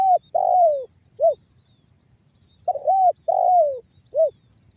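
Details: Spotted dove in the banggo bocor call style, a trained lure bird from Cirebon Utara, West Java, Indonesia, used to prompt other doves to coo. Two mellow phrases: a stuttered double coo, a long drawn coo sliding downward, then a short rounded final note.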